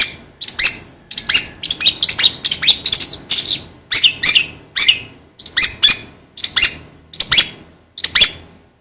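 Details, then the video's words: Long-tailed shrike, a sound for getting shrikes in the mood: clusters of grating, buzzy notes, often in twos or threes, repeated roughly once a second with short gaps. "DENGAR SUARA INI CENDET JADI ON"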